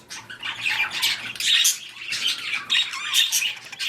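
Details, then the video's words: Budgies or parakeets in a mating and breeding setting give harsh squawks and buzzy warbles in grouped bursts, roughly two or three per second. "Budgies / parakeets | Mating / Breeding"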